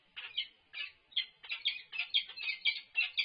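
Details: Resident peregrine falcons at a UC Berkeley nest site, recorded during food delivery on 3-6-24. A string of hoarse, grating notes follows a short pause, then speeds to about three per second.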